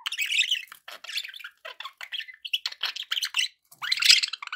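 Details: Pet budgies in steady warbling chatter, with quick buzzy and squeaky chirps in rapid, uneven runs and barely any pauses, ending in a louder rasping squawk.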